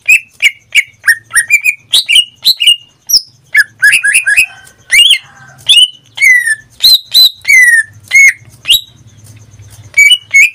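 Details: Caged greater green leafbird, a pet in full song that sings almost daily, giving a rapid run of loud whistled notes, short slurred phrases rising and falling, with a faint low hum beneath.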